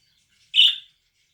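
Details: A relaxed pet budgerigar gives a single brief, harsh chirp, bright and slightly buzzy, in near silence.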